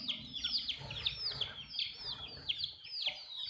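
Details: Baby chicks drinking water, calling in clear, piercing peeps that drop sharply in pitch, repeated about twice a second, with faint low rumbling behind.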